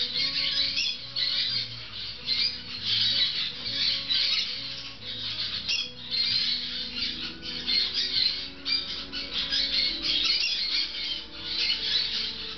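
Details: Several six-week-old grey-cheeked parakeet chicks eating fresh food give a steady wall of scratchy, grating squawks in rhythmic pulses, with a faint low droning in the background.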